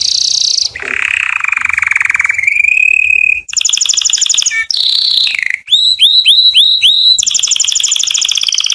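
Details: Canary singing to attract females for mating: loud, unbroken run of varied rolling trills, a long buzzy rattle, then a steady high trill, a falling slurred note, and rapid rising whistled upsweeps repeated in series.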